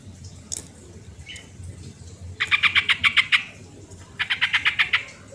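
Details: Lure song of a sooty-headed bulbul, used to coax lazy birds into singing: two bubbly phrases of eight or nine rapid, evenly spaced liquid notes, separated by a short pause, with a brief high chip earlier.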